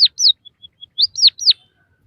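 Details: White-headed munia song used to stimulate and train captive birds: a brief phrase of sharp downslurred chirps, a few faint steady high pips, then three more loud falling chirps, with no other sounds.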